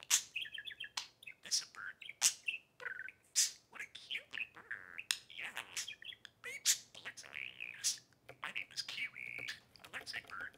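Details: Two male pet budgerigars, a 3-year-old green and a 4-month-old blue, both talking birds, playing on a table indoors; busy warbling chatter of squeaky whistles and sharp clicks, with rapid bursts and short pauses throughout.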